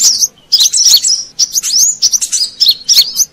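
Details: Brown-throated sunbird, played as a lure sound for wild birds in Indonesia: bursts of high, sharp twittering chirps with quick rising and falling notes, separated by short pauses.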